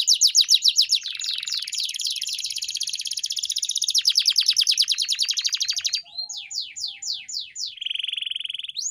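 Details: Canary singing for training pet canaries: dense rolling trill with buzzy overtones that changes speed and pitch, followed by a series of crisp descending whistled notes and a sustained buzzy tone at the end.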